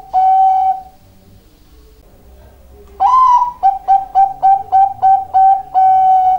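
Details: Singing zebra dove, Bangkok type, in energetic voice: a long held coo, a pause, then a rising opening note and a rhythmic run of about eight short staccato coos finishing on a sustained tone.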